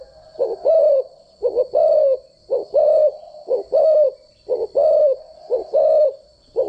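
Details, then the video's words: Cooing of a spotted dove kept as a decoy, a standard voice for daily training of doves. Deep soft coos in paired phrases about once a second, steady and even, with a faint continuous high tone behind. "chim cu gáy mồi giọng gáy chuẩn dùng luyện giọng chim cu gáy mỗi ngày"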